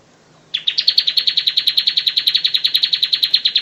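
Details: Bar-winged prinia singing as a master bird for training: after a short quiet start, one long, fast, even trill of bright, rhythmic chip notes runs steadily for about three seconds without a break.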